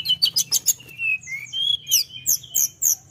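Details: Tledekan in vigorous song aimed at provoking rivals: a burst of quick high chirps gives way to sliding whistles and then evenly spaced, sharp down-slurred notes.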